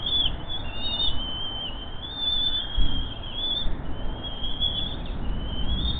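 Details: Bald eagle chicks calling hungrily while their father brings in a bird at 9:49 am, 10 May 2023: a steady stream of high, thin, slightly wavering whistled peeps, with gusty wind rumbling below.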